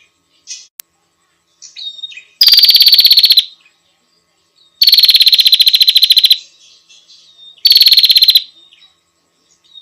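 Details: Female bar-winged prinia calling to the male: three loud, buzzy, fast-pulsed bursts, each about one second long and spaced roughly two and a half seconds apart, with faint short chirps between them.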